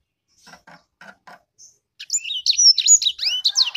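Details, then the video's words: Sanger bird kept by a bird hobbyist in Indonesia, praised for its fierce voice. After about two seconds of faint soft knocking sounds, a loud burst of rapid, varied high whistles and sweeping slurred notes runs continuously to the end. "Burung sanger beneran sangar suara nya"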